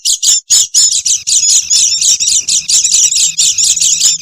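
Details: Noisy Oriental white-eye calls for luring wild birds: quick high, thin twitters in pulsing bursts, with a steady faint low tone running beneath the second half.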